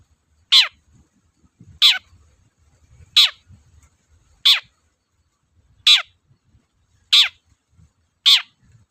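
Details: Cendet, the Long-tailed shrike, calling energetically as a lure recording: seven rasping, downward-sliding notes spaced roughly 1.3 seconds apart, each short and loud, over a faint low background rumble.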